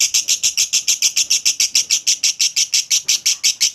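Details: Lovebird ngekek chatter, clear and long, used to prompt other lovebirds: evenly spaced, bright, high buzzy pulses about three per second with no other sounds.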